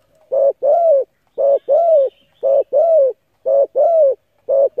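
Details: Spotted dove giving a coo series to spur decoy birds: rhythmic paired coos, a short burred note then a longer smooth falling one, repeated about once per second without pause.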